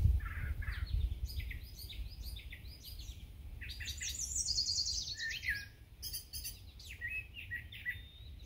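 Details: A male brown thrasher sings from up high: a rapid string of varied phrases, some buzzy, some clear and whistled, each different from the last and seemingly never repeated, over a low rumble of wind.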